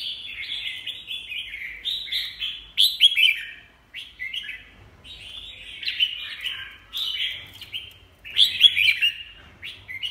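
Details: Red-whiskered bulbul delivering a lively, clear chattering song: rapid slurred warbling phrases repeated in groups every couple of seconds, loud against a quiet background.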